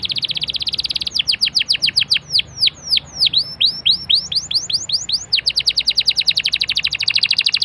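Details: Lure canary song meant to get other canaries singing: a rapid buzzy trill gives way to a series of sharp, high downslurred whistles about five per second, then returns to a fast, dense rolling trill.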